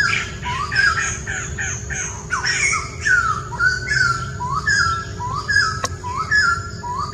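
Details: Wild White-crested Laughingthrush singing: a series of rising whistled notes repeated roughly every second, mixed with harsher squawky bursts early on, over a steady low hum.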